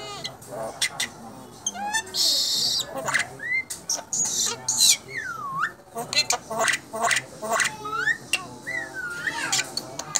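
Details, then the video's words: Contest-winning Asian pied starling in a chattering song mixing harsh rasping bursts, short upslurred and downslurred whistles, and crackling clicks in quick succession. "Burung Jalak Gecor.. Juara Kontes"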